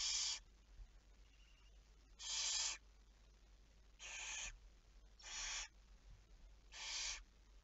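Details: Barn owl recorded on 11 May 2019 at 23:34, at night, giving five harsh, breathy hissing screeches, each about half a second long, spaced one to two seconds apart over a faint low background hum.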